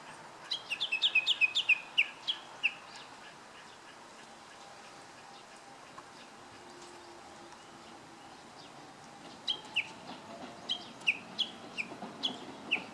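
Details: Japanese bush warbler producing two bursts of quick, high, downslurred chirping notes, one at the start and one near the end, separated by several seconds of quiet background hiss.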